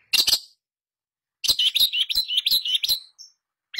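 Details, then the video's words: Long-tailed shrike in full voice, used to coax a silent shrike into singing: a brief doubled harsh note, a pause, then a rapid, varied chattering run of scratchy and warbled notes ending in a short high whistle. "Pancingan SUara pentet Gacor untuk mengatasi pentet yang macet bunyi"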